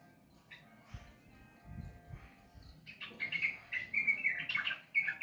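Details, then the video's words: After a quiet start with some low knocks, a sooty-headed bulbul launches into fast, bright, bubbling whistled warbling. "Terapi burung trucukan malas bunyi...dijamin ngeder"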